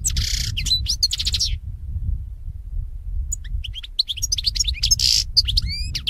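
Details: European goldfinch song played to train other goldfinches to sing: bright twittering bursts of high tinkling notes at the start, a pause, then a livelier run of chirps and liquid rising whistles, over a steady low hum.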